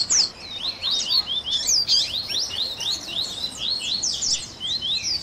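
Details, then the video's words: Double-collared seedeater song used as a warm-up for a captive bird: a run of crisp high down-slurred notes repeated quickly, mixed with sweeping whistles, rising in intensity near the end. "Baderninha de Coleiro Top FAÇA SEU COLEIRO CANTAR em 30 Minutos - Esquenta de Coleirinho!"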